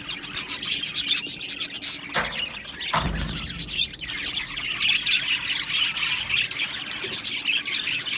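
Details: Aviary of budgerigars chattering and chirping nonstop, many high twittering and warbled notes overlapping densely, punctuated by a couple of brief rustling or knocking sounds.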